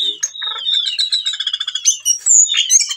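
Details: Whistling thrush in breeding condition, singing to call a female and used to lure other birds: a long whistle leads into a fast stuttering series of clipped notes, then sharp high squeaks.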